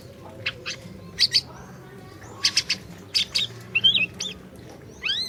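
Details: Orange-bellied leafbird in full, energetic song, used to coax a silent bird into singing: dense bursts of sharp high chirps in pairs and triplets, a warbled twist, then a rising-falling arched whistle.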